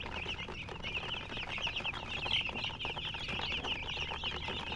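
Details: High chirps from chickens with a hen, many birds peeping together in a dense, even chorus over a low steady hum.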